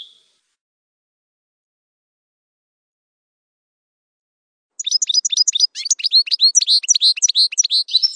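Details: European goldfinch, a campero (wild-type) singer, delivering a fast twittering burst of high, tinkling notes that starts after nearly five seconds of silence and runs about three seconds.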